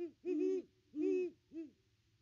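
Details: Great Horned Owl at the nest tree on Christmas, one of a visiting pair, giving two long deep hoots and a shorter third one, evenly spaced.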